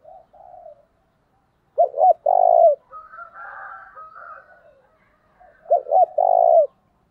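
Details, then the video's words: Spotted dove used as a lure for wild doves, repeating its cooing phrase twice, about four seconds apart. Each phrase has two short stuttered notes and a longer, louder low coo, with faint background murmur between. "tiếng cu mồi thúc bổi mới nhất, bổi nghe nhạy gáy và rất nhanh nổi"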